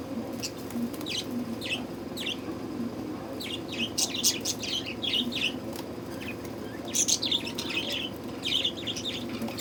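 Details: Budgerigars in summer heat: short, bright chirps come in scattered clusters, sometimes several overlapping, over a steady low hum.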